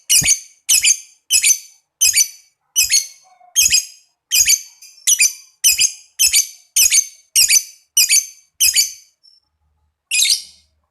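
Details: Lovebird giving a long ngekek trill, played to stimulate other lovebirds into calling: harsh, high squeaky chirps repeated in a steady rapid series, about two per second, followed by a short pause and one final note.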